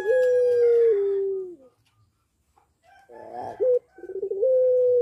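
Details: Caged puter pelung dove in breeding condition, singing actively: a long, steady, low hooting coo that drops slightly in pitch and fades, followed by a short rough burst and another drawn-out coo.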